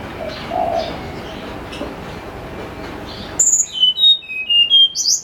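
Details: Snowy-browed flycatcher singing clearly and flute-like in the morning, a recording used as a lure: after a murky, noisy opening, a quick series of about six thin, high whistled notes at varied pitches rings out against a quiet background.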